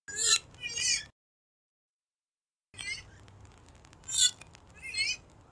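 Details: Calls of a purple swamphen, a sound used to lure birds for hunting: two quick harsh wailing notes, a pause, then a noisier stretch with further short nasal cries over background hiss.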